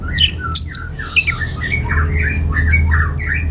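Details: Orange-headed thrush; song; lure to make other birds answer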